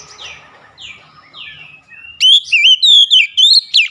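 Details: Oriental magpie-robin song, played to help a stressed bird recover and start singing: soft descending whistles at first, then a loud burst of rich, rapidly changing whistled phrases with quick trills and slurs in short repeated bursts.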